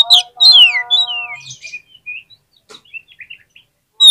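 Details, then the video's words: Oriental magpie-robin (kacer) lure song for lazy singers: loud whistles slide steeply downward over a sustained low harmonic tone, followed by a string of quieter, short, rising chirps. "PANCINGAN KACER PALING AMPUH UNTUK RANGSANGAN KACER YANG MALAS BUNYI AGAR CEPAT NYAUT"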